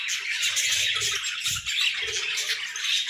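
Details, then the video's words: Lively morning chatter from pet budgerigars: raspy squawks, chirps and whistled squeaks run together in a fast stream, accompanied by occasional low thumps. "Budgies Singing Sounds"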